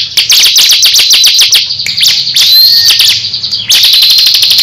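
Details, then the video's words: Crescent-chested babbler, a caged songbird, duelling with another ciblek; rapid series of sharp ticks about ten per second, broken by a brief slurred whistle, then ticking resumes. "Duel sengit cikris vs cisem saling adu gaya"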